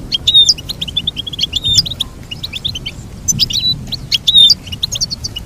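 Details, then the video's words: Goldfinch pouring out a loud, lively song of clear whistles mixed with rapid tinkling twitters, delivered in bursts with short pauses. "Teach your goldfinch to sing beautiful motivational songs"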